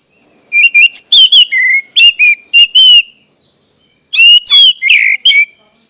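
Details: Orange-headed thrush song for coaxing caged thrushes to start singing: a busy run of varied whistled notes and chirps, a short gap, then another burst of mixed whistles, over steady hiss.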